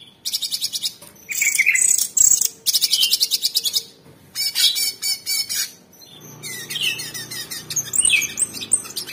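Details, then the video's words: Black-crested bulbul (cucak cungkok) pours out loud, high, rapid-fire chattering bursts, each lasting a second or so, separated by brief pauses, with a faint low hum underneath later on. "TEMBAKAN ISTIMEWA CUCAK CUNGKOK SUPER GACOR"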